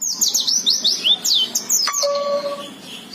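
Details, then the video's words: Busy song from forest-type oriental white-eyes: a fast tumble of high, wavering, slurred chirps, ending with a short steady whistled tone. "KUMPULAN BURUNG PLECI NGALAS SAMPE BUKPAR GACOR"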